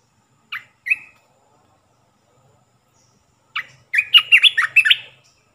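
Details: Olive-winged bulbul decoy song of the three-phrase style, played to lure wild birds. Two short clipped notes, a pause, then a quick bubbly run of bright warbled notes rising and falling, sung loud and clear over near silence.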